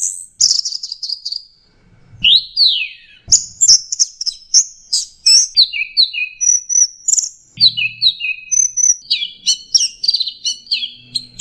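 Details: Bird song recorded for teaching other songbirds, 'teler' style full of varied 'tembakan' phrases: high piercing whistles, downslurred notes and fast chip series, rich and continuous for about eleven seconds.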